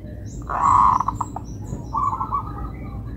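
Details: Local zebra dove singing with a melodious rhythm: a loud rolling coo breaking into quick clipped notes, then a quieter trill, while other small birds chirp high in the background.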